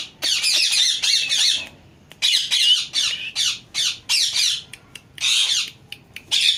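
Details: Talking parrot with long stretches of loud, grating screeches and raspy chatter, broken by short silences.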